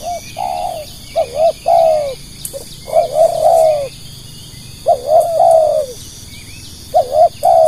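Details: Spotted dove calling to lure other doves, delivering repeated phrases of short wavering coos run into longer falling coos, four phrases separated by brief pauses, all hollow and mid-pitched.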